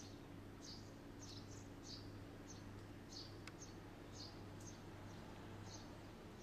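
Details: Red-rumped swallow calls as brief, high chirps spaced about every half second, quiet over a constant low electrical-sounding hum with a couple of faint clicks.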